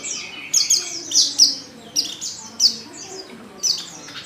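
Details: Female white-eye in heat calling a male, giving short clusters of high, bright down-slurred chirps spaced about half a second apart, with faint low background noise.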